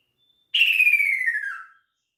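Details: Calling to its female, a male kaso-kaso bird gives a clear whistled note that slopes steadily down in pitch, lasting over a second, with silence before and after.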